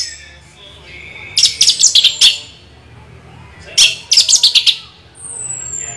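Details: Orange-headed thrush rolling song: two quick bursts of five or six sharp high chirps each, separated by quiet, followed by a faint thin descending whistle.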